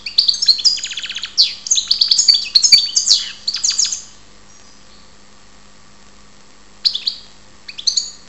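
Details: European goldfinch from Ptolemaida, Greece, singing a four-second burst of fast twittering, rattled trills and bright chirps, followed by silence and two short twittered phrases near the end.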